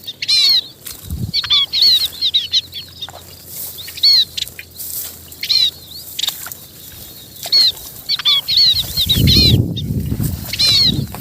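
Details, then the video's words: High, thin munia chirps in rapid clusters, given as a call to the flock. The note groups repeat every second or so, with a dull low thump near the end. "tiếng chim ri gọi đàn"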